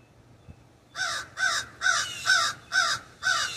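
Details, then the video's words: After a second of near quiet, a raven sitting in a backyard ash tree breaks into six loud, raspy caws, evenly spaced roughly twice a second. "The Distinct Call of the Raven"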